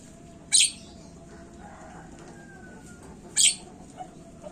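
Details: Javan myna (jalak kebo) on a lure recording used to prompt other birds to call: two grating, hissy screeches nearly three seconds apart, with a faint thin whistle between them and a low background hum.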